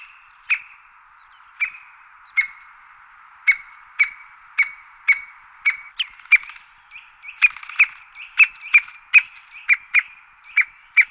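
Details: A white-backed woodpecker (Dendrocopos leucotos) gives sharp, clipped single call notes, about a second apart at first, then quicker and more irregular, otherwise quiet.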